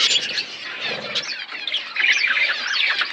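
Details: Budgies in a forest-environment aviary keep up a busy chatter of squawky, wavering warbles and chirps, briefly softening near the middle before swelling louder again.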